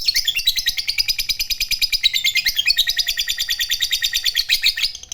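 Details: Lovebird fighter with long ngekek trilling, a continuous rapid chattering trill, high and buzzy, pulsing steadily for five seconds before fading, used to spur other lovebirds to sing.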